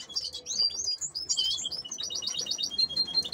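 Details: From canary hens kept for breeding hybrids with goldfinches comes a lively, high warble: sweeping whistled notes at first, then a fast run of evenly repeated chips and a thin sustained whistle.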